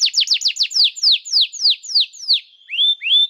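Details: Canary song used to tutor young canaries and to coax silent canaries into singing: a quick series of about ten bright downward-sweeping whistles, then two rising, slurred whistles with short pauses.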